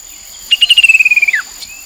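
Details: Chestnut-capped babbler by the Mekong River in Nakhon Phanom, Thailand, 2021, giving a quick, high trill of about a dozen notes that slides gently downward and ends in a drooping slur, over a steady thin insect whine.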